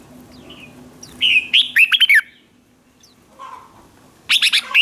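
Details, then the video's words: Red-whiskered bulbul delivering contest song to excite untamed birds into singing; a whistled lead-in and quick warbled phrase, a short quiet gap with a faint chirp, then another loud burst of rapid notes, over a steady low hum. "Kích chào mào hót đấu hay nhất,bổi nghe là hót theo,khiến bổi ức chế căng lửa"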